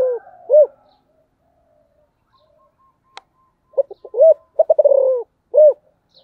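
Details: Spotted dove song in the special 'giọng thổ' style: a low arched coo, a pause with a faint click, then a few short notes, a rapid stuttered run of coos and a final drawn-out, rising-falling coo.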